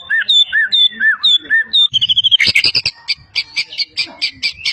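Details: Champion white-rumped shama from Medan, a competition bird singing energetically with mimicry of many bird species: looping whistled notes, then harsh rapid chattering and a run of repeated bright chips.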